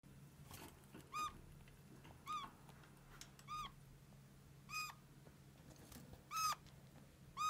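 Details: Pet red-crowned parakeet giving plaintive, kitten-like squeaks, six short bright calls with a quick downward hook, spaced about a second apart over a low steady indoor hum.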